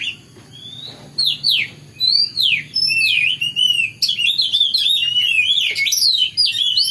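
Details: Oriental magpie-robin singing in the morning: a rich, varied stream of high whistled notes, sweeping slurs and rapid twittering phrases, starting sparse and turning almost continuous in the second half.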